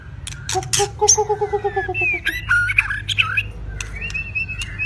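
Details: Wild-caught White-rumped shama, two seasons in captivity, singing during training: a run of rapid repeated low pulsed notes, then loud clear whistled slurs and sharp high notes.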